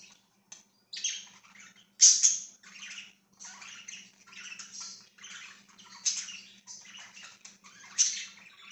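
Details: Pet budgerigars, 24 September 2024, chirping: a continuous run of scratchy, buzzy warble bursts and short squawky notes, several louder peaks standing out among quick chattering phrases, with a faint steady hum underneath.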